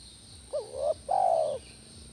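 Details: A single spotted dove (tekukur) phrase used to coax a kept dove to answer: a quick wavering rising coo, a brief gap, then a fuller sustained coo that fades gently.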